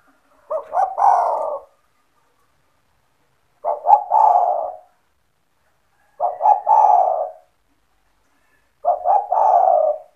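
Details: Owner's energetic spotted dove, used to entice other doves to call: four stuttered cooing phrases at a steady pace, each several quick notes leading into a longer, throaty descending coo, roughly every two and a half seconds.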